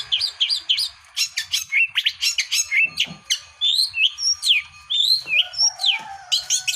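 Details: Long-tailed shrike in full song, a dense, varied medley of sharp chirps, clipped notes and twisting whistles delivered almost without pause, high and piercing throughout.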